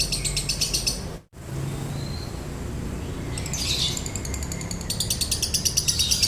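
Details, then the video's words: Dry-toned konslet singing from a lovebird: a burst of rapid raspy chirps, a short break and a quieter stretch, then the quick chattering run resumes, with a faint background hum. "MASTERAN LOVEBIRD KONSLET NADA KERING | PANCINGAN SUARA LOVEBIRD KONSLET"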